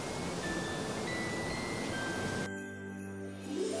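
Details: Tinkling chime and jingle-bell music with sustained tones, growing quieter and more tonal halfway through, with no animal voice.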